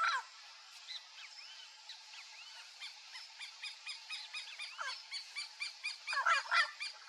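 Turquoise-fronted Amazons give harsh, squawking and warbled notes, several birds overlapping at about four calls a second and growing louder toward the end.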